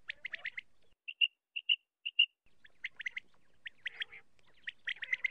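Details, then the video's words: Common quail call used as a lure for quail hunting with nets: quick, liquid triple-note calls in several phrases with short pauses, a few paired clipped notes between phrases, faint background noise. "batair Awaz"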